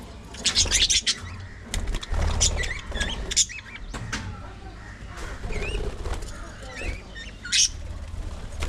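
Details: Aviary colony of budgerigars: loud scratchy chirps and wing-flutter sounds early on, then softer warbled twittering notes, over low background rumble.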